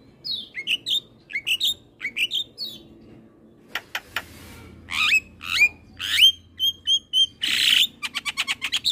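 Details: Master song of a Javan myna, played to stimulate young mynas: sets of descending whistled slurs, scattered clicks, then rising whistles, a level whistled note and a rapid closing series of short chips.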